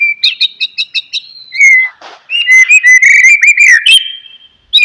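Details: Oriental magpie-robin, song for prompting a silent bird to sing: a string of quick repeated chips, then a long varied sequence of whistled slurs and trills.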